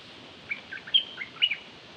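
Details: Decoy Dok Taeng bird calling: a one-second run of short, high chirps and twittering notes, some rising and some falling, set against faint steady background hiss.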